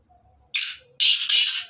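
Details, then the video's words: Loud rasping call of a black francolin of the Sindhi type: a faint low murmur, then a short harsh note and two drawn-out grating notes linked together. "کالے تتر کی اواز کالے سندھی تتر کی اواز Kale teetar Ki Awaaz Kale Sindhi teetar Ki Black pheasant vo"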